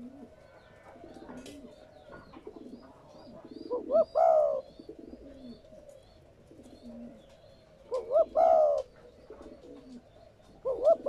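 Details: Captive-dove stimulation recording of a spotted dove: soft, hollow coo phrases near 4, 8 and 11 seconds, each opening with quick rising notes, over a faint background hum.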